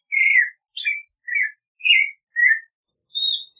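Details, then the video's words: Clay-colored thrush singing a string of clear whistled phrases around the middle of its range, each about half a second, rising then falling, separated by short pauses, with a few higher thin notes near the end. "Clay-colored Thrush Singing! Clay-colored Thrush Calling! Sound! - Zorzal Pardo Canto - Turdus Grayi"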